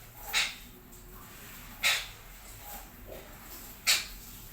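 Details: In the morning a red-breasted parakeet gives sharp, raspy squawks, three of them spaced roughly one and a half to two seconds apart, over quiet background hiss.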